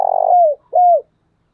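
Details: Decoy spotted dove urging call fragment: one long rasping coo sliding downward, then a single clear downslurred hoot.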